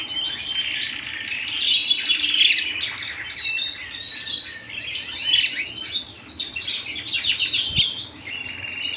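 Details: Canary singing at home: a long, uninterrupted warble of chattering trills and high whistles rising and falling in volume, with a single soft knock near the end.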